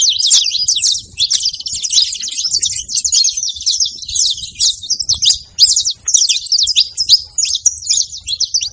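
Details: Saffron finch at a feeding spot producing a lively clatter of high, short, slurred chirps, bursts coming in quick succession.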